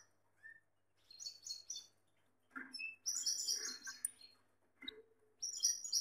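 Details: A male Gloster canary with a female produces high, clipped chirps and twittering phrases in irregular bursts, opening with a soft rising whistle and ending in a dense sharp flurry.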